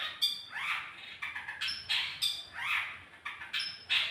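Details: Long-tailed shrike lure sound for prompting song: grating squawks with rising buzzy sweeps and thin high whistles, in quick uneven bursts.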